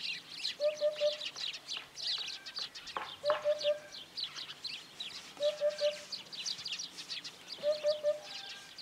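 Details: Eurasian hoopoe; courtship song; courtship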